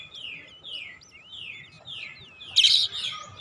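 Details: Oriental magpie-robin lure song meant to make other birds sing: a run of five slurred, descending whistles at an even pace, fairly soft, ending in a sudden loud harsh burst of notes.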